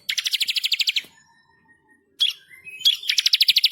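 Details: Masteran song of a bar-winged prinia in full vigorous voice: rapid even trill of about a dozen high buzzy notes, a pause with faint whistles, then a sharp rising note and another fast rolling trill.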